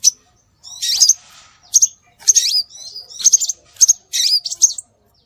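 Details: High, thin chirps and twisting whistled notes from scarlet minivet, played to attract birds, in separate short bursts with clean silences between them.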